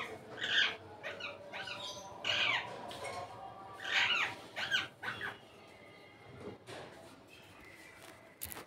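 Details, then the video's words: Indian ringneck parrot out of its cage, with a melodious voice; a series of harsh chattering squawks in bursts during the first five seconds, then quieter fainter notes and a sharp click at the end. "Indian ringneck parrot melodious voice"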